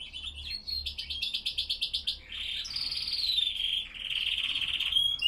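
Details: Spanish Timbrado canaries of the classic style singing on a cold morning at 07:46, 5°C and 87% humidity. Metallic high trills of rapid pulsed notes give way to a long, smooth rolling trill and a brighter rising phrase.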